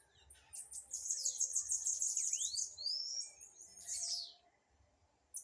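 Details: Blue-black grassquit singing in a dispute: a high, rapid run of chattering notes with a sharp downward-then-upward slurred whistle near the middle, followed by a brief buzzy burst and a pause.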